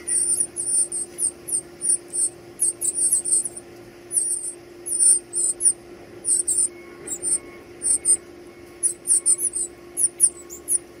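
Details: Nestlings begging during feeding: rapid runs of very high-pitched squeaks, clustered in short volleys with brief pauses, continuing without letup; a steady low hum sits underneath.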